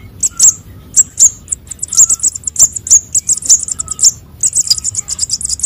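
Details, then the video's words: Sunbird young, konin and sogon, used as a lure: rapid, insistent high chips and thin squeaks running together into a near-continuous twitter, with occasional faint lower notes. "suara anakan burung konin dan sogon untuk pikat"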